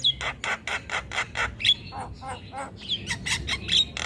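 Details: Javan myna in energetic song, used to train other cage birds: a run of loud harsh rasping notes in quick succession, broken by thin high whistles and slurred chirps.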